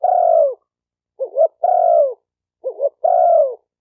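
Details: Spotted dove coo used to provoke decoy, male and female birds: a long descending coo, then two phrases of a quick wavering double note and a sustained, slightly hoarse falling coo, every 1.5 seconds or so, nothing else heard.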